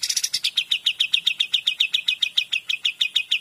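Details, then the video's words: Kapas tembak (Cream-vented Bulbul) in 'gacor dor' song: a slightly rough, rapid opening settles into steady, clear chipping notes at roughly six per second, carried at an even, driving pace. "KAPAS TEMBAK GACOR DOR"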